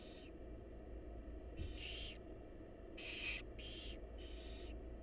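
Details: Begging barn owl chicks, wild, in a nest box as the mother brings food. Five rasping hisses crowd into five seconds, two of them nearly back to back, with a constant low hum underneath.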